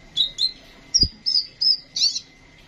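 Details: Sunbird song used as a tutor for training caged songbirds: six rapid, high, thin notes, some slurred downward and some buzzy, spaced about a third of a second apart, with one dull thump.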